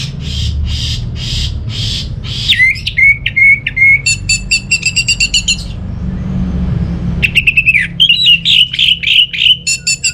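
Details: Orange-headed thrush singing as a lure for quiet birds at home: soft repeated rasping notes, then a long sequence of rapid whistled and trilled phrases, a pause, and more fast warbled trills over low hum.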